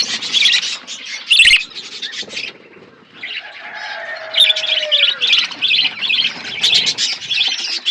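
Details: Outdoor aviary of budgerigars, called wild budgies, chirping: harsh, buzzy warbled bursts, a brief lull near the middle with a drawn-out whistled note, then the scratchy chattering picks up again strongly.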